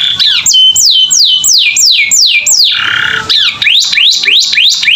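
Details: Canary master song for training captive birds, loud and continuous: a repeated series of clear down-slurred whistles, a brief harsh buzzy burst near the middle, then quicker rising-falling notes.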